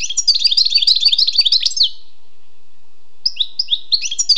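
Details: Wild European goldfinch delivering nearly two seconds of rapid tinkling twitter, then after a short silence a few separate, liquid slurred chirps at a relaxed rhythm.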